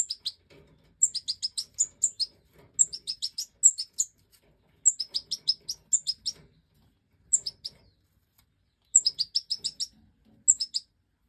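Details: European goldfinch (Major form) during the 2024 breeding season, giving repeated bursts of high, liquid twittering chirps in rapid runs of several notes, the phrases recurring every second or two over a quiet background.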